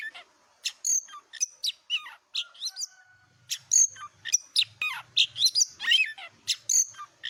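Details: Tame white-rumped shama singing while perched on its handler's hand: rich, varied whistled phrases with rising and falling slurs, a brief steady tone, and dense chattering bursts.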